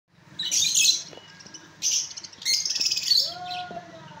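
Budgerigars chatter in bursts of buzzy, scratchy high notes, with a few rising whistles; a low hum runs underneath.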